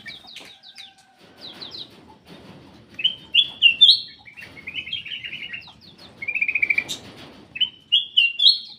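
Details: Black-crested bulbul song meant to spur quiet birds to sing: sweet whistled phrases repeated every second or so, including a rapid trilled note, over faint low rustling.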